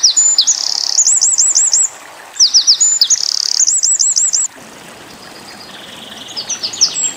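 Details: Eurasian wren song for training white-eyes: two loud, fast phrases of shrill trills and looping rolled notes, separated by a pause, then quiet and fainter twittering near the end.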